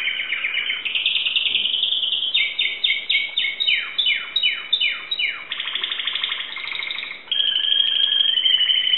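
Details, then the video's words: Song of a Timbrado canary kept in Greece: a continuous roll, a series of loud downward-sliding whistles about three a second, then pulsing rattles and a long high steady trill. "greek canary timbrado singing song"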